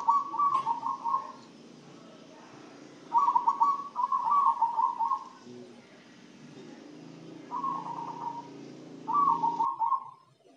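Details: A captive zebra dove, singing actively after being fed a herbal spice mix, gives soft, rapid trilling coos near one pitch in four bursts of about a second each with quiet pauses, in a small indoor space.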